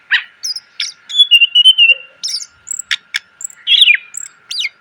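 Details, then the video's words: Greater green leafbird singing for cage bird training: a long level whistle, sharp clicks and high thin notes, ending in a falling slurred phrase, with a faint hum. "MASTERAN CUCAK IJO SUARA PLONG!!! ..penuh isian.."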